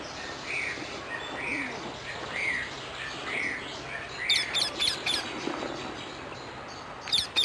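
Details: Wild rose-ringed parakeet in Amsterdam, the Netherlands, giving loud, harsh, grating screeches in a quick series of four or five, then another short burst at the end, over soft chirps from other birds and a low background hum.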